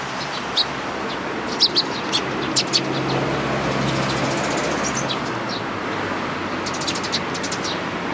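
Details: Sparrows collecting at food at a Tenmangu shrine on 11 April 2018; bursts of quick high chirps rise above a loud, constant rumble like passing traffic.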